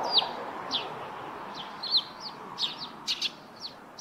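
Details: Wild Eurasian tree sparrow singing by its roof nest: a string of bright, high, falling chirps, roughly two each second, some doubled, over faint background hiss.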